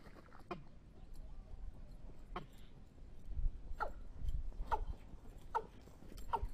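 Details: Watercock lure call: six sharp, downward-sliding notes, spaced irregularly at first, then about one a second, over a low rumbling background.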